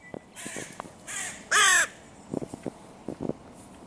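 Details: Crows at a music pavilion in König-Albert-Park where the territory borders of three breeding pairs meet and are hotly contested; one loud, harsh, rasping caw stands out, with fainter hoarse caws and short knocking sounds around it.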